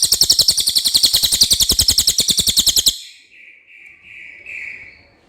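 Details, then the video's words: Clear common iora song: a three-second rapid trill of high buzzy notes, followed by a short series of softer, lower whistled notes. "suara cililin jernih"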